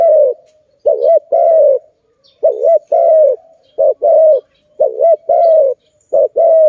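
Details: Zebra dove heard during bird trapping, repeating a pattern of a rolling two-part note then a drawn-out coo, about every second and a half, clean and close.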